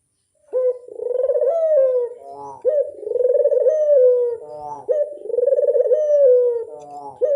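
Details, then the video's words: After a moment of silence, a Barbary dove starts its lure call, a series of three purring coos that rise slightly and fall, separated by brief nasal notes. "Pancingan burung puter mamtap nembak"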